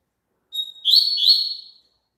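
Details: Papa-capim (double-collared seedeater) singing one brief phrase meant for another bird to join in: a thin steady whistle, then a dense twittering buzzy run that slides down and up, about one second long.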